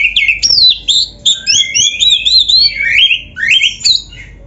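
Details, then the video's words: Caged white-rumped shama singing a long, continuous training song of sweet whistles, wavering slurred notes and sharp rising sweeps, varied and unbroken, with a clean quiet background. "MASTERAN KACER GACOR FULL ISIAN !! - Suara Burung Kacer yang cocok untuk LATIHAN"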